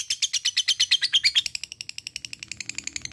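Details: Rapid shrill chatter from a lovebird giving its ngekek lure call: strong raspy pulses that gradually weaken into faster, fainter ticks.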